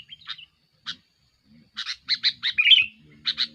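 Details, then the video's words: Sooty-headed bulbul in aggressive, lure-style song: a few scattered notes, then a quick run of chattering notes peaking in a buzzy slurred phrase, soft low hum in the background. "suara burung kutilang gacor"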